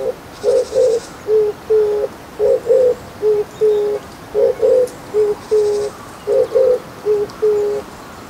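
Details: Oriental turtle dove seen very close, calling with its bill shut and eyes closed, giving low, hollow coos in four-note phrases, two short then two longer, repeated about every two seconds over faint background hiss.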